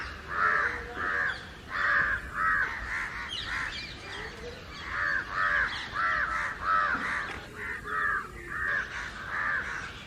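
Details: House crows, mixed with jungle crows, gathered in trees and calling loudly together against someone, a commotion that went on for over an hour. Harsh, hoarse caws from several birds overlap in a steady, uneven chorus of about one and a half calls per second.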